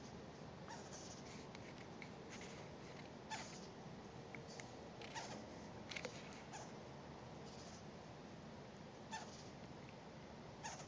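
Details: Western Screech-Owl fledglings give short, raspy hissing begging calls at irregular intervals, a few seconds apart, over a steady low hum, at night in dark woods while an adult shreds and feeds them a Western Tanager.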